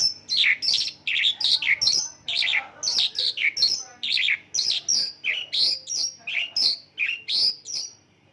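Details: Mongolian lark singing a song filled with local bird phrases: a steady run of bright, downslurred chirps, roughly two every second, with a quiet background.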